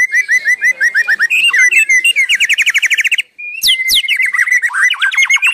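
A white-rumped shama sings a loud, varied song of fast repeated chirps, rattling trills and sharp rising whistles, barely pausing once.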